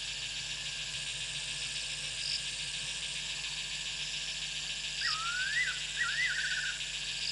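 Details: At dark, under a steady high insect chorus, a perched fiery-necked nightjar gives two quick, slurred whistled phrases that dip and rise near the end.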